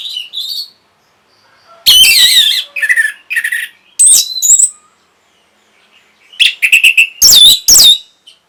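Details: Song of an orange-headed thrush meant to stimulate breeding and a response: scattered phrases of harsh, scratchy squawking notes mixed with short whistled slurs, separated by brief silences.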